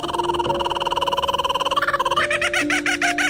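A kookaburra's rapid, cackling chatter of fast repeated notes rises and grows more frantic toward the end, over a steady humming music drone.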